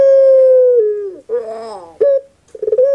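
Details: Puter pelung dove, a cage-kept bird of Java, Indonesia, with a soft voice: a long level hoot sliding down at the end, then a rolling gurgle and a short clipped note before the hoot resumes.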